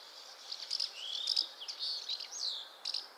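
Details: House martin twitter with slurred, gliding chirps that sweep up and down, mixed with short sharp tick notes.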